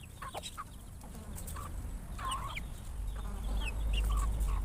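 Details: Many chickens feeding on a farm, startled by a noise while eating: scattered short clucks and squawky, rising calls from several birds, over a steady low rumble that grows louder toward the end.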